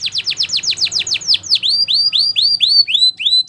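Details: Belgian canary song meant for training: about ten rapid falling sweeps, then a string of rising curved whistles carrying clear higher harmonics, evenly paced around four per second.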